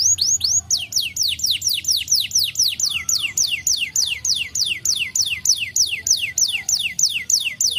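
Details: A canary, played as a lure to make other canaries answer, trills a fast, even series of high, sharply falling whistled notes, about three a second, over faint low background noise.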